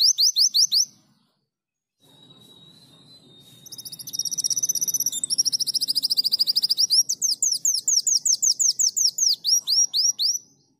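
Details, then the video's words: Sunbird song used as a tutor recording for training songbirds, described as lively and canary-like: very high, thin rapid chirps in fast runs, a steady high whine, then long quick series of sharp falling notes repeated several times a second. "Burung Kolibri Wulung Gacor Kenarian"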